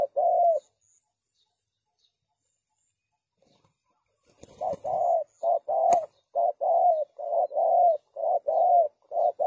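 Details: Spotted dove, recorded as a trapping lure, gives one rolling coo, then a few seconds of near silence broken by a brief rustle and a click, before a long run of repeated mellow, arched coo notes.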